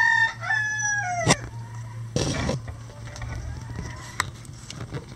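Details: A rooster's crow from a farm flock of at least 20 standard and bantam roosters that crow all day: a loud harmonic call sliding gradually downward and ending abruptly, followed by a burst of noise and low steady hum.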